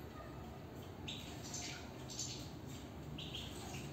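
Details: Caged European goldfinch giving quick bright chirps in small bursts of two or three notes, spaced about a second apart, against a constant low rumble.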